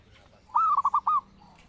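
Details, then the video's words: Zebra dove song used as a master call to train or lure birds: a loud burst of four quick, rolling cooing notes with a slightly rising start, then a faint trailing coo. "Pancingan Burung Perkutut Gacor"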